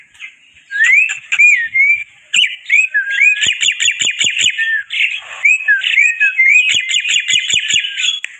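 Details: Lively lure song of a white starling (black-winged myna): looping whistles mixed with fast runs of clipped, rattling notes, repeated in two bursts with sharp clicks between.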